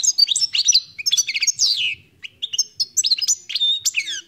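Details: European goldfinch, wild, delivers rapid tinkling song: clusters of high chirps and slurred, descending twitters in quick bursts, with a brief gap after two seconds before the chattering resumes.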